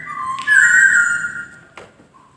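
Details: Clear sustained whistle from a white-crested laughingthrush, holding steady and then fading, with a faint tap and a short low note at the end.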